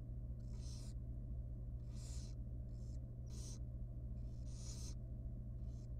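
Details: Young wild barn owl nestling begging at feeding time inside a nest box. Loud, noisy, snoring hisses repeat in quick uneven pairs and singles, with a steady electrical hum beneath.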